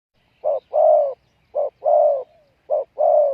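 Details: Spotted dove used as a decoy to lure wild doves, giving a loud, hollow cooing call: a short coo then a longer falling coo, repeated three times about once a second, with no other sounds.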